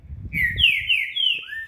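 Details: A captive Green-winged Saltator on 30 March 2021 gives some of its first songs after moulting: a loud, clear phrase of three or four slurred whistles, the first dipping and the rest sliding down, over a low rumble.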